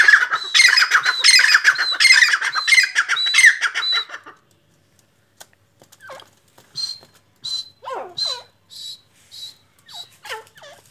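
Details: Kala teetar, the black francolin: about four seconds of dense, harsh, chattering notes in rapid succession, then quiet, followed by softer scattered descending notes and thin whistles.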